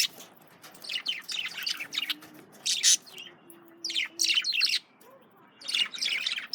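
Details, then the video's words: Male budgerigars feeding on carrots keep up busy, scratchy, high chirping chatter in uneven bursts of rapid notes with brief gaps between them. "Male Budgies/Parakeets Eating Carrots (Волнистых попугаев)"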